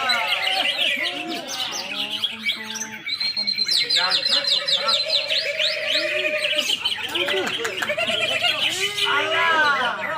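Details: Greater green leafbird in full, energetic song: a dense, continuous stream of looping whistles, rapid trills and slurred chirps, constantly shifting in pitch.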